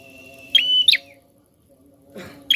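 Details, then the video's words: Persistent prinia song for stimulating other birds: one clear phrase of a shrill steady whistle ending in a fast descending slur, a quiet gap, then the next phrase beginning, over a low background hum. "Prenjak Gacor Ngotot Ampuh Rangsang Bunyi Burung Bahan"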